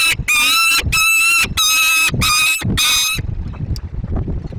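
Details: Young peregrine falcon Aurora (ring 8ES) at the ZEC Inowrocław nest site, apparently complaining, gives five loud, harsh, whining wails of about half a second each in quick succession, then low rumbling background noise.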